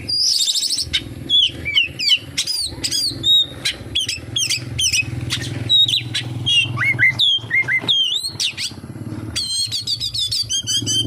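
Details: Oriental magpie-robin pours out a busy song filled with kapas tembak mimicry: a fast, high jumble of whistles and chips, downslurred notes, and a closing run of quick rippling notes.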